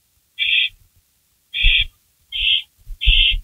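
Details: Night-time barn owl nest, 16 May 2012, rabbit delivery; four harsh, noisy hisses, the last three closely spaced, with rustling and knocking of movement below.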